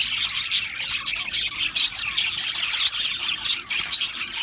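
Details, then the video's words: Australian parrots twittering together, short whistled notes and rapid chirps from several birds layered into a pulsing, busy chorus. "Beautiful Australian Parrots Chirping sounds beautiful Parrots Sounds"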